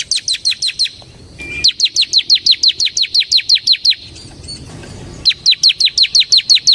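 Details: Bar-winged prinia, ciblek semi, used to lure and tutor ciblek: long, steady trains of sharp descending high chips, roughly six per second, in three bursts separated by brief pauses.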